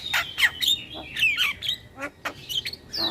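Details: Javan myna song used as a lure for mynas and starlings: harsh, squawking notes and slurred whistles mixed with sharp clicks, uneven and chattery.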